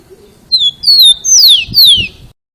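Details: Loud rufous-collared sparrow song, sung very loudly to encourage other sparrows to learn their song: two clear, high, falling whistles followed by two longer, sharply descending slurred notes, in quiet surroundings.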